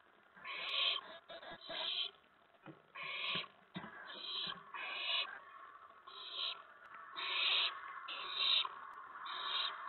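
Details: Owl nest on an April 2017 evening while adults deliver food to the owlets: rough, wheezy hisses repeated about once per second in an irregular rhythm, over a constant low rustle.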